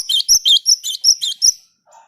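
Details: Java sparrow singing actively, used to prompt other birds to sing along: a rapid run of about nine bright, chirpy double-pitched notes in 1.5 seconds, ending with a faint low trailing sound.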